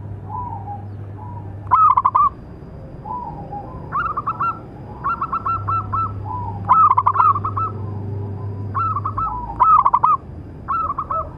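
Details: Local zebra dove, a big-voiced keen singer, calling to train and lure other doves: repeated bursts of fast staccato coo notes every one to two seconds, between softer lower coos, with a low hum.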